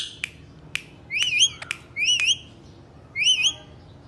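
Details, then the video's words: Three Indian ringneck parakeets, presented as talking pets, utter short bursts of shrill wavering chirps in three clusters, with sharp clicks at the start and a quiet room behind. "Three parrots amazing talking video"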